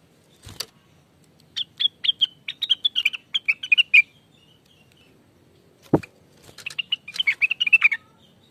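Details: Greater green leafbird song played as a lure: two phrases of fast, sweet twittering notes, each rising and falling, with two sharp clicks or knocks interrupting, otherwise a quiet background.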